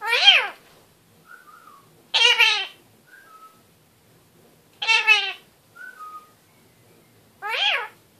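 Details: Pet male kakariki in a cage, "talking" before a bath, gives four drawn-out, nasal, meow-like calls about every two and a half seconds, with soft short whistles between them.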